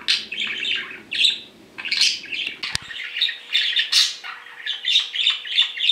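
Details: Two pet male budgerigars, indoors, calling while separated: a busy stream of raspy chirps and squawks, some sharp and rising, with a click and a faint steady hum in the room.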